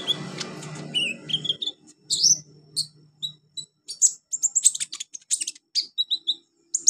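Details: Olive-backed sunbird song as tutor material for beginner birds: rapid, very high chirps and buzzy trills in lively bursts, growing denser toward the end, with low rumbling background noise at the start.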